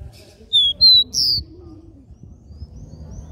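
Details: Capped seedeater singing the regional three-note 'dó ré mi' song style: three clear whistled notes in quick succession, high-pitched with slight upward slides, over a low background rumble.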